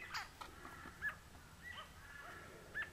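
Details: At Coolmunda Dam, Inglewood, Queensland, Australia, a grey-crowned babbler caught on a Canon Powershot S5 IS gives brief sharp mid-pitched notes, three or four in quick succession, with soft rustling between.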